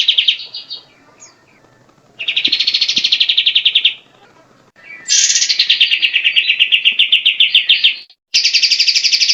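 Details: Grey-cheeked bulbul song, described as loud, melodious and varied and used to train other songbirds: bursts of rapid, buzzy pulsed notes around a high pitch, each lasting about two seconds, separated by short pauses.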